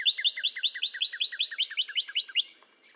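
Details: Northern cardinal song of two-part notes, each a high slur paired with a lower one, repeated about fourteen times in a quick, even rhythm before fading.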